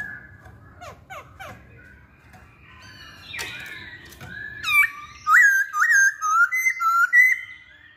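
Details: Masked laughingthrush, known locally as poksay hongkong, a caged songbird in full song: faint rapid notes early, then loud clear whistled phrases from mid-clip, rising and falling slurs repeated about twice a second.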